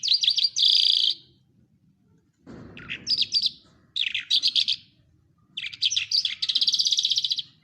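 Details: Lark singing in Quetta gives buzzy, rattling phrases broken by pauses, with one dull knock, ending in a long chattering, scratchy run over a low hum.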